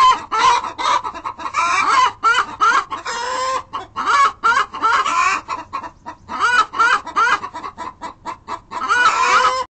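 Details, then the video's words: Hens giving the loud call made after laying an egg, with other hens joining in: rapid, insistent clucks of about two or three a second, rising in pitch, with longer drawn-out squawks mixed in. "Chickens make a "I just laid an egg call" sometimes others girls call to join in!"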